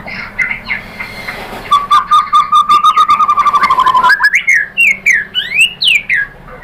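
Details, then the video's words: Lure song of a white-rumped shama: a long, even pulsed trill at a low pitch that then breaks into a run of loud, sharply rising whistled notes. "bikin MURAI BATU jadi NYAUT GACOR BONGKAR MATERI TEMBAKAN ¦ PANCINGAN MURAI ¦ SHAMA BIRD"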